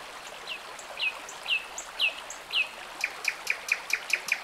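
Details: Nightingale singing by a forest stream in the Irish countryside, recorded on a Lumix G90 and Zoom H1N: a series of clear, downslurred whistled notes about every half second, then a quick run of sharp repeated notes, over a steady murmuring stream.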